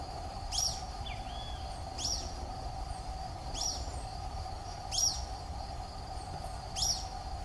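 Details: A wild social flycatcher (Myiozetetes similis) in the Atlantic Forest gives five short, sharp, high calls about every one and a half seconds, over steady insect hum and low background noise.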